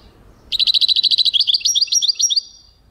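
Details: Singing European goldfinch, 2023: after a moment of quiet, a fast, steady series of high, tinkling twitter notes runs for about two seconds, slightly varied toward the end, then stops.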